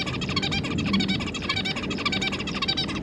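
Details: A zebra finch pair and their three juveniles chatter with dense, nasal, toy-trumpet beeps, overlapping in a rapid, uneven stream of short notes, faint room noise beneath; recorded 25 July 2022.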